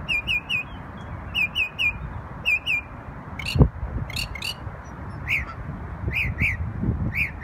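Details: Bird singing in New York on Memorial Day: bursts of paired and tripled high notes, then scattered sharper chirps and a brief clatter, set against low background noise.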